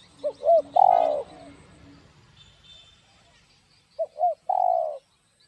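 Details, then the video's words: Spotted dove, 'giọng đồng' style 'gáy thúc gù' song used to stimulate other doves: two phrases of two quick hoots leading into a long rich coo, with a faint high chirp from another bird between them. "Cu Gáy Giọng Đồng Chuẩn GÁY THÚC GÙ Kích Mồi Tập Bổi Ức Chế.Tiếng Cu Kích Trống.cu gáy giọng đồng"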